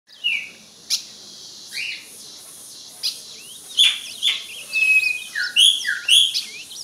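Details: Ultramarine grosbeak singing at a rival, with other birds singing: a series of clear whistled notes, some slurred downward and some held level. The phrases come in bursts with short gaps, over a faint background of other high chirps.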